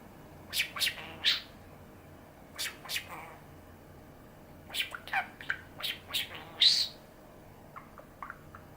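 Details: Pet male budgerigar, nine years old, chattering indoors: bursts of sharp, scratchy high chirps and squeaky warbles in irregular clusters separated by short pauses, over a steady low room hum.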